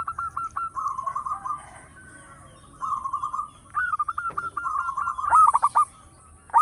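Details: Local zebra dove with a loud voice, used as a lure bird: rapid bursts of staccato, pulsed cooing notes run together into rolling phrases, with short pauses between the bursts and a faint high chirping behind.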